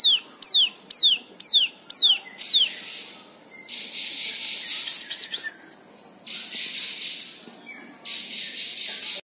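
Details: White-eye song used to encourage other birds to sing, opening with five quick falling whistles in a row, followed by long buzzy high trills with short pauses between them.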